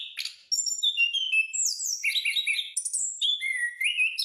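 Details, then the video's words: Continuous song of an orange-headed thrush, meant as training audio for caged birds: clear high whistles, slurred descending notes and quick varied phrases following one another without break. "anis/punglor gacor putar agar anis anda langsung ikut bunyi"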